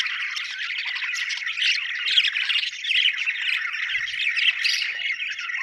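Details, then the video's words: Several happy budgies chatter in a thick, steady warble of squeaky chirps and harsh little squawks, the loudness rising and falling with the group. "happy budgies chirping sound"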